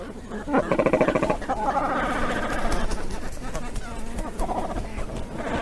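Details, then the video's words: Cormorant giving harsh, guttural, low rasping croaks and grunts in short overlapping bursts, over a steady murmuring background. "New Cormorant birds sound || Cormorant birds best call voice"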